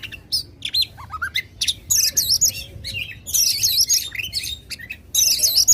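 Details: Oriental magpie-robin in loud contest-provoking song: rising whistled notes leading into dense, buzzy high chatter bursts, repeated about four times a second with brief pauses.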